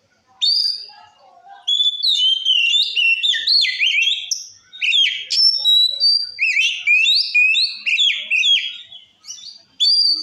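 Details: White-rumped shama singing continuously to rile other shamas: dense, varied whistles, sweeping rising notes and fast warbled runs, almost without pause.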